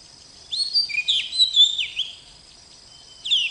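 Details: Young oriental magpie-robin in energetic song, a quick phrase of sweet, sliding whistles and trills, then a brief lull before a new phrase starts.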